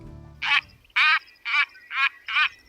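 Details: White-faced Ibis at Beaverhill Bird Observatory near Tofield, a protected marsh area, giving its very nasal call: five short harsh grating notes, each about a quarter second, spaced roughly half a second apart, with faint low rumble at the start.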